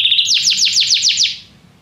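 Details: Canary song for song training: a brief high buzzy note, then a quick series of about six loud downward-sweeping whistles that fade away.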